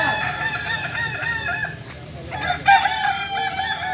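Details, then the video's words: Kukuak Balenggek singing chickens from Solok during performance practice: dense, continuous overlapping crowing with long held wavering tones, dipping briefly before a fresh burst of crows near the end. "Latihan prestasi Ayam kukuak balenggek ayam penyanyi asli Solok"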